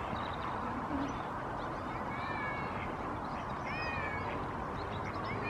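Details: Common moorhen at Barrs Court, 28 February 2021, giving a few short, nasal, harmonic calls, some slightly rising or wavering, scattered across a few seconds over a steady rushing background noise.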